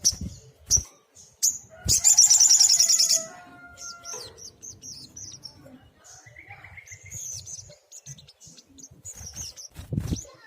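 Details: Brown-throated sunbird (sogok ontong) in energetic 'tembakan' song: brief high chips, then a fast metallic trill over a second long, followed by scattered thin twittering notes and a low thump at the end.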